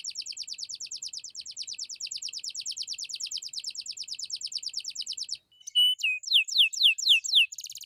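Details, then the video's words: Lively canary song used to prompt other birds: a long, very even rapid trill of repeated notes for over five seconds, a brief gap, then louder sweeping whistled notes and a short buzzy burst. "KENARI GACOR COCOK UNTUK PANCINGAN DAN MASTERAN, BURUNG DIAM AUTO IKUT BUNYI!!!"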